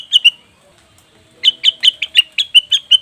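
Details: Lure sound of cucak wilis or rengganis leafbird: two quick chirps, a pause, then a tight row of ringing, emphatic notes repeated about five times a second.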